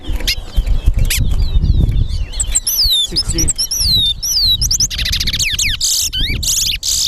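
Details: Captive towa towa competing in a singing race at a Guyana bird ground, its songs tallied; bright whistled slurs and buzzy trills over heavy low crowd murmur, talking and music.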